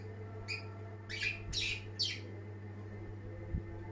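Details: Energetically singing long-tailed shrike, a first-place champion, giving a short burst of three or four sharp chirps over about two seconds, then falls quiet against a constant low hum.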